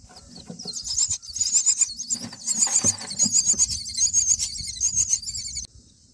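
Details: Myna chicks in the nest on day nine, begging as a parent feeds them black crickets: dense, harsh, high-pitched rasping squeals in rapid bursts for about five seconds, then stopping abruptly, with soft rustling underneath.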